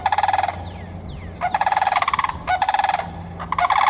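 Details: Sandhill cranes in Florida give loud, rolling, bugling rattles in quick overlapping bursts, one bird's rattle answering another's.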